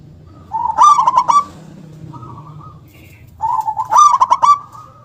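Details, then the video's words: Powerful, loud local zebra dove, singing actively with a punchy 'KUNG' style. Two phrases, each starting with a gentle coo that swells into rapid, stuttered notes, with a brief soft coo between them. "perkutut lokal gacor suara besar nyentak KUNG power kencang"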